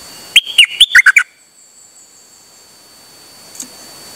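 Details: Dok taeng bird recorded 8 September 2023, singing without pause: one quick phrase of six loud whistled notes that slide and drop, lasting under a second, followed by quiet with a faint distant note.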